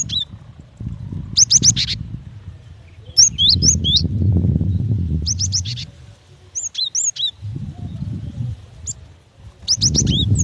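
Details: Female cinereous tit calling for a male: short bursts of high, rapid chirps separated by gaps, interrupted by swells of low rumbling noise.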